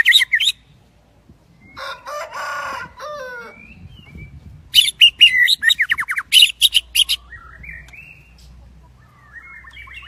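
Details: Đắk Lắk shrimp-tail white-rumped shama singing during the windy season, giving short phrases of scratchy, buzzy notes, then a rapid run of sharp clicking elements, ending in a few soft, thin whistles over a low hum.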